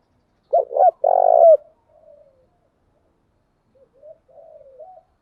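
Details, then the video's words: Lure spotted dove cooing to attract wild doves: a sharp double note and a long throbbing hoot, then several soft, low, faint cooing murmurs trailing off over the next seconds. "Tiếng chim cu gáy mồi giọng lôi cuốn hấp dẫn đủ bài[ THÚC GÙ , GÁY GỌI ]"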